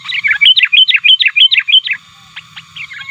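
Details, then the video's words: Sooty-headed bulbul calling actively and challenging rivals, a recording used to lure and provoke wild birds. A rapid run of bright, bouncing chirps repeats about three times per second for two seconds, then scattered sharp notes after a pause. "Pikat Burung Kutilang 100% Asli Gacornya Aktif Menekan Lawan"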